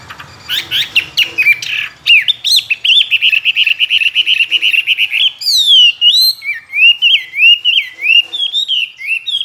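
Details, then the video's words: Chinese hwamei, tame and caged two years, a strong contest singer with many forest voices. Varied loud whistling: quick swooping notes, then a fast stuttering run, then wavering rising and falling phrases. "Họa mi thuần nhiều giọng rừng,chim đấu hót tốt"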